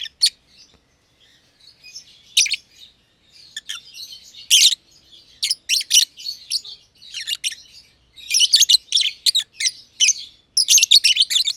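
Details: Green personata lovebird, under a year old, and a green pied personata companion chirping in their aviary; soft twittering builds into dense runs of shrill, scratchy chirps.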